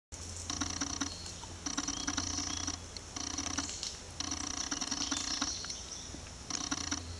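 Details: Red-bellied woodpecker pecking a hole at the top of a tree trunk, tapping in rapid bursts of about a second each, five runs in seven seconds, over a steady low hum and a thin high insect-like whine.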